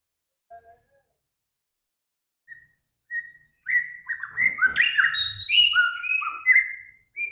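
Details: Songbird in full voice from a training master that mixes Samyong, Kancilan Flores and Garugiwa. Faint scattered notes and two soft whistles build into a dense, jumbled burst of high chirps and slurred whistles that continues to the end.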